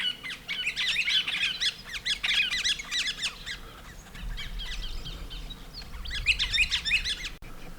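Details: Galahs (Eolophus roseicapilla), possibly a pair, chatter in bursts of rapid, harsh, high-pitched screeching squawks with brief pauses, other birds behind, in morning sun in tree-lined bush around Lindsay and Mulcra Islands, north-west Victoria, Australia.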